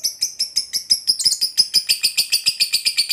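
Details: Long ngekek chatter from a lovebird fighter, meant to spur silent lovebirds to sing: fast, evenly spaced scratchy high notes, rasping and shrill, running without a break.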